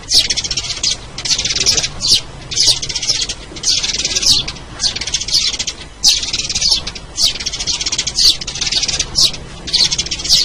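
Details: Sparrow lure sound: repeated bursts of harsh high chirps, each lasting under a second with short gaps, continuing steadily throughout.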